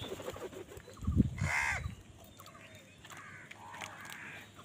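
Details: Crow calling angrily while fighting other birds for food: a low thump, then a strong harsh caw, followed by fainter rasping caws against a constant background hiss.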